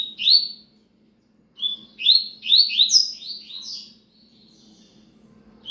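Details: Rapid, loud strings of descending whistled slurs from a Double-collared seedeater in cigano style, one short burst then a longer cascading phrase, then quiet with low hum.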